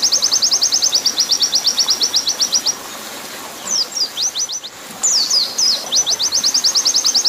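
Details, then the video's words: Oriental white-eye long rapid-fire 'nembak panjang' master song, mixed with water sound for training captive birds: fast runs of high, sharp repeated notes at about two per second, broken midway by quieter, descending slurred chirps, over a steady low rushing background. "masteran pleci nembak panjang PLUS terapi pleci suara air mempercepat pleci buka paruh"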